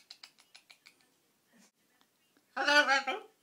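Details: Pet blue-and-gold macaw, over twelve months old, laughing and giggling to himself indoors; a quick series of six clipped giggle notes, a pause, then a loud drawn-out nasal squawk.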